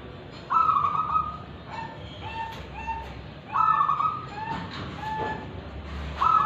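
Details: A wild-caught local zebra dove from Tulungagung coos a soft, rolling phrase: a longer trilled note followed by two or three short clipped coos, repeated every three seconds over faint background hiss.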